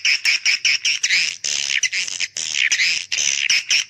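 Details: Call to attract young swiftlets: a fast series of harsh chirps leading into dense, squawky, buzzing bursts with rising and falling tones.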